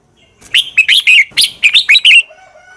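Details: Red-whiskered bulbul fighting song used to train birds: one continuous, lively phrase of about ten rapid, bright slurred whistles over under two seconds.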